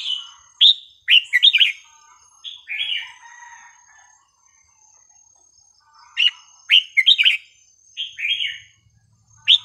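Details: Red-whiskered bulbul song in a pleasing style with non-repeating phrases, played to teach young birds: two bursts of quick, bright warbled and whistled notes separated by a pause of about three seconds, with a faint thin steady high tone behind.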